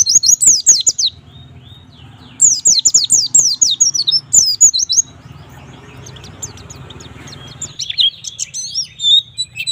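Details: White-eye singing 'gacor nembak', meant to get young white-eyes singing. Two bursts of rapid sharp descending chirps are separated by quieter gaps with faint background hiss, followed by scattered high twitters.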